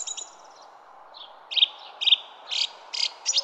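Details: Songbird in a garden giving a high twitter, then a string of short, loud, buzzy chirps repeated about twice a second, each a crisp high burst.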